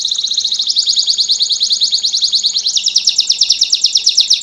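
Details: Master Belgian canary singing pure 'campainha' bell-style song: a continuous rapid high trill, slowly rising, then an abrupt jump to a new trill phrase partway through.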